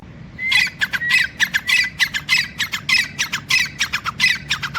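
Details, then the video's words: Grey francolin (teetar) after a dust bath, wary of kites overhead, giving loud harsh squawking notes in a fast series of about five per three seconds, each note a buzzy burst with a brief whistled edge; faint low background hum. "Teetar ki khobsurat awaz | beautiful sound of grey francolin Partridge"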